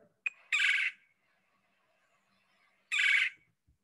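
A Red-bellied Woodpecker gives two harsh, rolling churrs, each under half a second and about two and a half seconds apart, with a faint click before the first.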